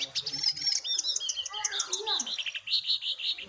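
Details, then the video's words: Jongkangan, one wild and one caged, singing against each other: rapid bright chirps and short whistled phrases, some notes sliding down steeply, delivered in a busy, nonstop stream. "Adu Gacor Jongkangan Liar VS Jongkangan Sangkar"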